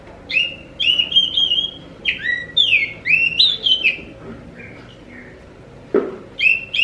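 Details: Oriental magpie-robin (kacer) song used to make other magpie-robins respond: loud clear whistled phrases repeated in quick groups, sliding up and down, a pause, then a sharp click and a fresh phrase.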